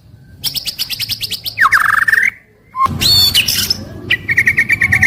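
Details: White-rumped shama in a cage, daily song: a fast series of repeated high chips, a buzzy trill, a brief pause, then a loud burst and a rapid repeated whistled trill.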